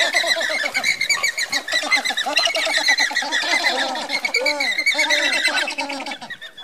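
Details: Andean flamingo flock marching together; a constant wall of nasal, honking calls from many birds, with a few louder drawn-out notes standing out near the end.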